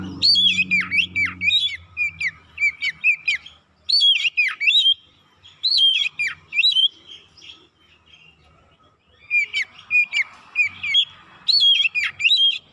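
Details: Oriental magpie-robin lure song meant to provoke other birds into singing: loud bursts of sweeping, whistled phrases with sharp downward slurs, delivered in clusters separated by short pauses; a low rumble at the start.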